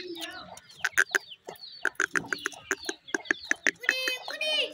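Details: Grey francolin (dakhni teetar) chicks calling: a quick series of short, sharp clicking notes, some in fast pairs, then a brief burst of thin higher peeps near the end. Soft lower sounds underneath.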